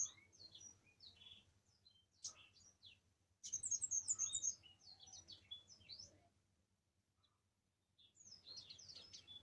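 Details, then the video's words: Orange-headed thrush song in loud bursts of quick, high chirps and sweeping whistled notes, the densest stretch just after three seconds, fading to near silence before a final short burst. "Burung Kamade"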